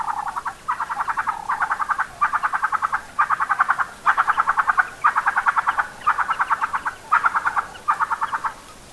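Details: Red-billed spurfowl (Pternistis adspersus) giving its harsh, gruff crowing territorial call to defend its territory: about nine rasping bursts over nine seconds, each a rapid rattle of notes.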